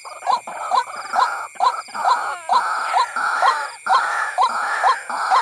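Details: White-breasted waterhen calls, played as a lure to draw waterhens in for trapping. Loud, nasal, moaning notes repeat about twice per second in a steady rhythm, over a constant thin electronic hum.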